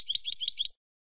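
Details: European goldfinch, silvestrismo song: a brief, fast, liquid twittering trill of alternating high notes lasting under a second, then silence.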